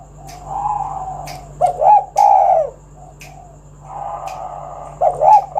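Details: A spotted dove coos to draw other doves into singing. A long, level, muffled coo gives way to a loud, throaty two-part phrase, then another drawn-out coo and a final phrase, with scattered clicks and a low hum.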